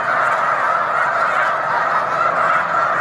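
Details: Snow Geese massed on Cayuga Lake in March, a loud steady roar of overlapping high nasal honks with no gaps.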